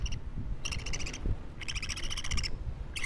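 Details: Budgerigar chick, two weeks old, making scratchy, buzzy, harmonic-rich calls in three bursts, the longest nearly a second. A steady low rumble runs underneath.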